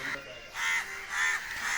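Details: Many crows gather in a tree giving harsh, hoarse caws about every half second, mobbing over one injured crow that fell into a tank and cannot fly, while a man carries it out and speaks briefly.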